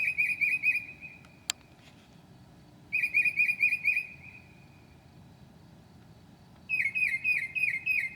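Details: At 2 a.m. in July 2008 a Northern mockingbird sings mimicked phrases: bursts of rapid buzzy repeated notes, then a pause, another burst, and a faster series of sharp chirps, with one click between phrases.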